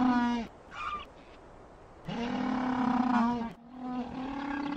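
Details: Penguin, one of the males incubating eggs in the cold, gives a strong, low, trumpeting call rich in harmonics, held steady for a second or more and repeated three times with short pauses.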